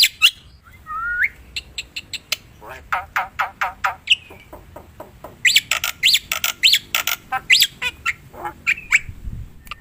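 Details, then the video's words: Wild black-winged myna in a varied, lure-style outburst: harsh squawks, sharp clicks and short rising whistles, loosely spaced, then denser chattering bursts toward the end over a quiet background. "Suara burung jalak putih"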